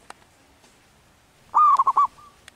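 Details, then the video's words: Wild local zebra dove in breeding condition singing a single loud anggungan phrase of four rapid, bubbling coos that trails into a soft trill, with faint clicks before and after. "Suara anggungan perkutut lokal alam liar sedang birahi"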